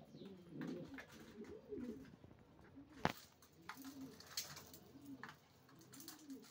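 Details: Racing pigeons cooing in soft, arching, bubbling phrases about once a second, with a sharp click midway and light rustling throughout.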